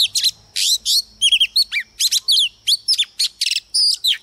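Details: A female Oriental magpie-robin sings as a lure to trigger males: a continuous, varied stream of whistles, trills, raspy bursts and slurred notes, dense and fast for four seconds.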